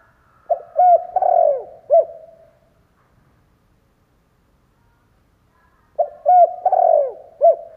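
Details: Spotted dove decoy bird cooing to lure wild doves, two deep cooing phrases of short hooked notes followed by a longer drawn coo, separated by a long silent gap.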